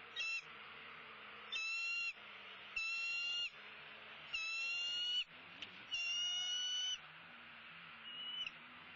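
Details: Bald eagle at its nest during a sunrise feeding, February 6, 2016: a series of five high, clear calls, each about a second long with bright overtones, given roughly every one to two seconds, with soft low background rumble.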